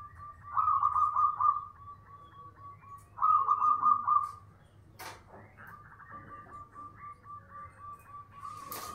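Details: Zebra dove (Geopelia striata), a local 'bedah karang' type of perkutut said to be very loud and carry far, giving loud, rolling cooing phrases, each a quick trill about two seconds long, between shorter repeated coos; clicks and knocks nearby.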